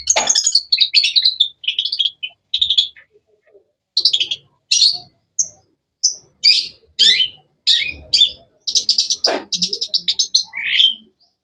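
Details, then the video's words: Long-tailed shrike in a long, varied chatter of scratchy trills, sharp chirps and short whistles, delivered in quick bursts with brief pauses between them. "Bird chirping sounds"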